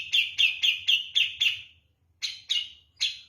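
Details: Javan grey-cheeked bulbul singing persistently, kapas tembak-like. Six crisp, sharp chipping notes about a quarter-second apart, a brief pause, then three more, in a quiet setting.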